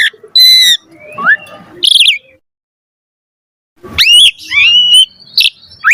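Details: Varied Asian pied starling song aimed at prompting other starlings to sing: ringing whistles and a harsh squawk, a silent pause of about a second and a half, then rising squeals and slurred whistles.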